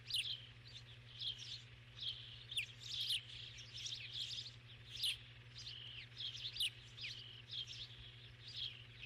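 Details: ['Starling on 7 June 2015, giving soft, busy twittering with slurred whistles and sudden bright squeaks, running without pause, under a constant low hum.']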